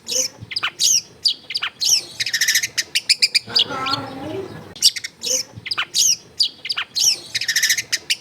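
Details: Long-tailed shrike in lively, full song, recorded in a densely populated residential area: sharp chattering notes, rattling bursts and whistled slurs in quick succession. A low, muffled warbling passage comes midway.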